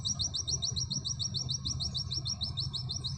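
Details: Pleci, the Oriental white-eye, in an unbroken 'nembak sejalur' run: high, fast chirps repeated about three or four times a second at an even pace for the whole stretch, with a low rumbling hum behind.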